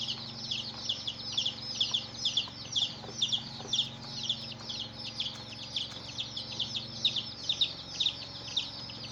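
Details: A brood of baby chickens with their hen, peeping nonstop in a busy chorus of sharp, high chirps that overlap and repeat rapidly over a constant low background drone.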